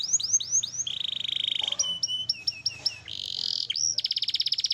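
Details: Black-and-red canary singing for training pet birds at home: quick falling whistles, a long buzzy held note, sharp slides and a fast rattling trill at the end, over a faint low hum.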